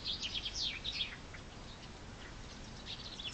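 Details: Chaffinch song heard in spring, a quick burst of bright descending high notes lasting about one second, followed by faint distant chirps against a soft hiss.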